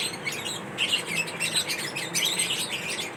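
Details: Lovebirds kept as pets chirp while feeding on corn: rapid, high squeaky notes tumble over one another in short clustered bursts, several birds calling at once.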